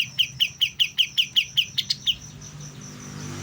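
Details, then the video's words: Young white-eye beginning to learn its song, repeating a sharp, bright chip note about ten times at a quick even pace before going quiet. "BURUNG KAPAS TEMBAK MUDA, mulai belajar bunyi"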